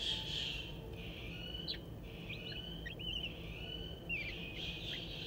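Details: Three young crested wood partridges at the Saint Louis Zoo, the eldest 22 days old, scratching for food; scattered sharp chirps and short trills over a continuous high tone and steady background hum.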